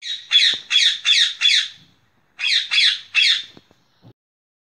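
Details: Loud, grating squawks from a green rose-ringed parakeet. A group of four is followed by a brief pause and then three more, with faint clicks at the end.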